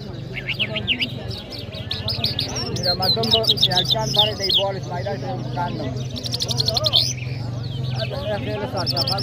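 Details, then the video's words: Singing Iranian Mashhadi jal in Kabul, Afghanistan, delivers a long varied song of high chirps, twittered runs and fast staccato bursts, over a steady low hum and background chatter. "Jal Bird Singing |Iranian Jal Mashady Birds | جل مشهدي |طرقه پرنده مست و خواندي در کابل"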